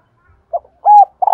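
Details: Female spotted dove call, used to prompt reluctant males to coo: a few short, soft mid-pitched coo notes, the middle one longer and steady, ending in a buzzy burst, with no other sounds.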